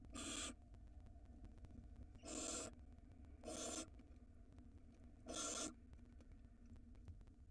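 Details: Barn owl at a nest box camera in Israel, where a breeding pair had laid eggs in February 2022 and a large rodent was present. Four harsh, hissing screeches, each about half a second long, come roughly every one and a half to three seconds over a low background hum.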